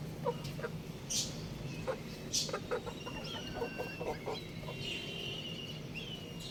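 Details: Young rooster outside giving soft, short chirping clucks repeated through the clip, with high thin whistles and chirps from other birds in the background.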